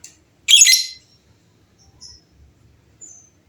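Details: Lovebird chatter from birds answering one another. One loud, grating screech lasting about half a second, then only faint, thin high chirps in the background.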